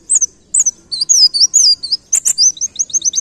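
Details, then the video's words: A white-eye (pleci ngalas) sings high, thin chirps and slurred whistles, then a fast, bright canary-like run of repeated notes at about five per second, imitating a canary. "Pleci Ngalas Nembak Kenarian"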